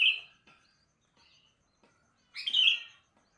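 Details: Two lively warbled phrases from a sooty-headed bulbul in the morning, one at the start and a louder, fuller one about two and a half seconds later, with faint chirps between.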